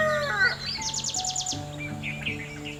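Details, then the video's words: A small bird on top of a tree gives a quick burst of about six high, sharp chirps, after a descending squeal, over a steady low humming tone. "small Chirp"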